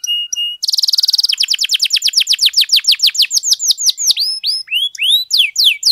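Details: Canary in full, energetic song, played to provoke other canaries into singing: brief level notes, a dense buzzing trill, then a long series of steep downward whistles that slow into looping rising and falling phrases.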